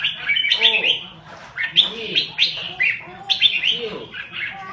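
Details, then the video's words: Lao-type red-whiskered bulbul, kept as a cage bird, singing in the rapid rolling style: bright warbled phrases in quick succession, several loud notes bursting in turn, with some lower murmuring and fainter background sounds beneath. "ນົກຫອນຈຸກລາວ ແບບລົວໆ"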